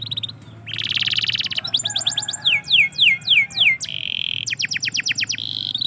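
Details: Canary singing in the morning: fast trills of buzzy repeated notes, then a run of clear downward-sweeping whistles, followed by a steady high buzz and more quick rolling trills. A low hum sits beneath.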